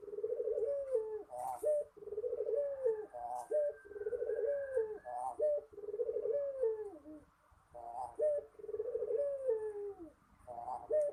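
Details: Spotted dove (derkuku puter) singing: soft, low cooing phrases, each a husky purr that ends in a clearer falling note, repeated about every 1.5 to 2 seconds with brief pauses and faint high ticks in the background.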